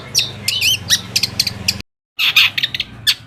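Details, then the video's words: Long-tailed shrike lure song for provoking other shrikes: short, scratchy chirps and a wavering whistle over a low steady hum, broken by a brief silent gap before harsher notes resume. "PANCINGAN AMPUH BURUNG CENDET AGAR CEPAT GACOR - cendet manapun langsung nyaut dan emosi"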